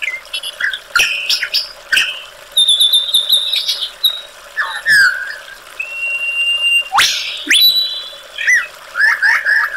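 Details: Superb lyrebird, a bird that mimics, mixing whistles, warbled trills, steady pure tones and abrupt sweeping notes like a laser shot, with sharp clicks between phrases.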